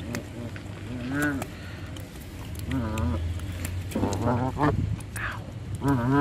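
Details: Canada geese being hand fed, giving spaced nasal honks with clear harmonic bands, roughly one every second or two, some rising and falling, over a low steady hum.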